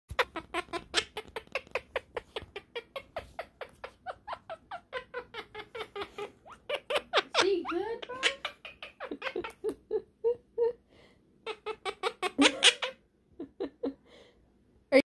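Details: A pet monk (quaker) parakeet's laughing mimicry: rapid, clipped bursts of harsh laughter-like syllables, about four per second, broken by squeaky whistled notes and short pauses.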